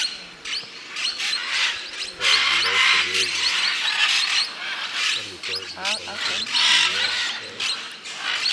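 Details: A noisy flock of scarlet macaws in Peru giving harsh, grating screeches that overlap almost without pause, with lower, softer calls beneath.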